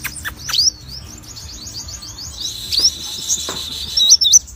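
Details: Sogon singing actively, giving a chain of high wavering whistles followed by a steady thin tone and a few sharp looping whistled notes, with scattered clicks and knocks in the background.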